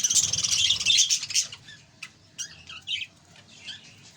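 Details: Kept budgerigars in a colony give a loud burst of dense chirping warble, then it thins to a few separate squeaky calls with quiet gaps.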